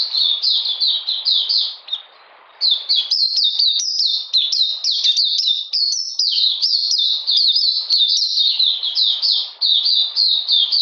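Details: Oriental magpie-robin, cold rainy weather, 13 June 2020: long song of high, rapid down-slurred whistles, broken by one brief silence, then resuming as a dense, chattering torrent of sharp notes.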